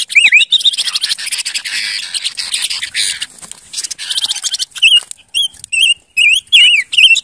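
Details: Silver-eared mesia, Vietnamese Ngũ Sắc, as a lure bird: an opening wavy whistle, a long dry rattling chatter, then a sequence of loud separate looping whistled phrases roughly every half second.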